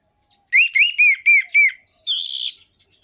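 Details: Orange-headed thrush song used to rouse sluggish, quiet thrushes into singing, sharp rhythmic ngerol-ngeplong style: five clear arched whistles around mid pitch in quick succession, then a short harsh buzzy burst.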